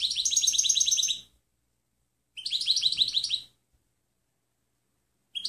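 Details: Clean training song of a European goldfinch: two short bursts of rapid, repeated tinkling notes with a thin high whistle laid over them, separated by about a second of silence, and a third burst just beginning.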